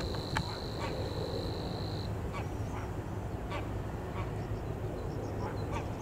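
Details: Savi's warbler in Leiderdorp, the Netherlands: a high, even reeling trill for the first two seconds, then it stops, leaving a low rumbling background with scattered short calls.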